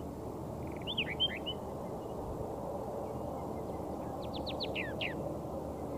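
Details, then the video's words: Pair of Layard's warblers singing softly to each other while foraging on a dry Karoo farm near Hanover, Northern Cape; a brief trill with clear whistled slurs, a pause, then a run of five or six quick sharp descending notes, faint low hum beneath. "A pair of Layard's Warblers foraging and singing softly to each other"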